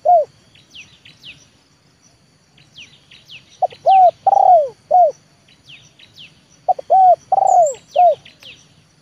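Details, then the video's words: Spotted dove, a trained leopard-type decoy, calls to draw a wild bird down into the yard. Two stuttering coo phrases with long bowed notes and a falling end. Thin high chirps from other birds come and go. "TEKUKUR LEOPARD AJARAN RASA PIKAT, BERJUANG UNTUK MENURUNKAN BL KE LAMAN"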